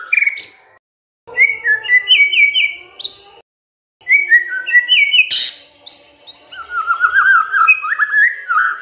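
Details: White-rumped shama lure song meant to draw a reply from a silent shama. Bursts of varied whistles in phrases separated by short gaps, with a sudden harsh note mid-way and a long series of warbled, stepped slurs near the end.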